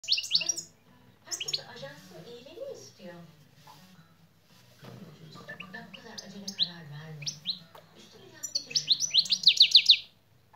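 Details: European goldfinch song with its "şak şak" notes: bright, tinkling bursts of quick high twitters, ending in a fast liquid trill, while a person talks quietly between the phrases.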